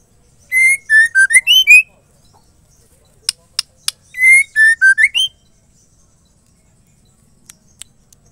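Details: A female white-rumped shama, whose song is used to provoke male shamas into singing, gives two bright whistled phrases of slurred notes that dip then climb. A few sharp clicks fall between the phrases.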